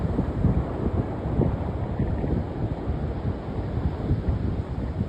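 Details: Gusting wind buffets the microphone over a steady roar of surf, with no animal calls audible.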